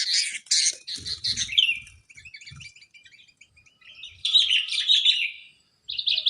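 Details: Sooty-headed bulbul, known locally as kutilang cengkram, giving loud bubbly chirps and short warbled phrases in bursts with brief pauses, some lower murmuring underneath and a quieter twittering stretch midway.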